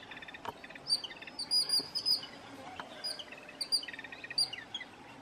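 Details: A noisy group of jungle babblers in India gives shrill, squeaky chirps mixed with quick chattering bursts of short notes over a quiet outdoor background.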